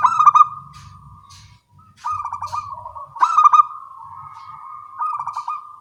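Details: Zebra doves of local Indonesian stock trading songs in the morning, each phrase opening with loud staccato coos that slide into a softer purring trill, repeated about every second or so.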